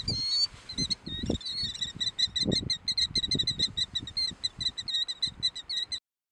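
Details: A Killdeer at Cook's Beach on 12 April 2014 gives a few drawn-out, rising shrill notes, then a fast run of sharp, piercing notes, about five a second, over low gusty wind or surf rumble.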